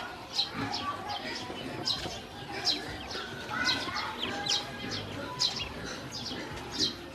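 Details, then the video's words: Group of hungry domestic ducklings at feeding time with food and water set out, giving steady high descending peeps, often in quick pairs, repeated throughout with faint low rustling beneath. "Hungry baby ducks"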